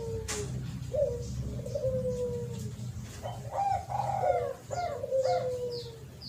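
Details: Spotted dove cooing in a lure recording, quieter and further off: scattered arched coos over a noisy low rumble, with a sharp click near the start.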